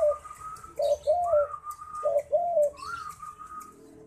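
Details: Zebra dove singing persistently: soft, mellow cooing phrases of short low notes alternating with higher drawn-out tones, repeated in a rolling pattern about every second, with faint background rustling.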